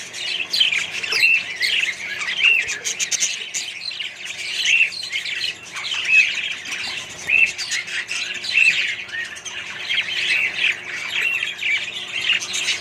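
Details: Budgerigar colony shared with other birds, filled with a continuous wash of squawks, chirps and warbling. Louder peaks rise and fall every second or two over a long stretch.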